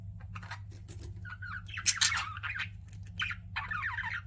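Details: Pet budgerigars chirping: warbled, rising and falling chatter with short sharp notes and squawky bursts, louder near the middle, over a steady low hum.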